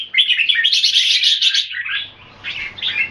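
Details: Red-whiskered bulbul kept in Singapore, singing in a display bout: a dense rapid chattering phrase over a second and a half, then softer slurred whistles after a brief lull.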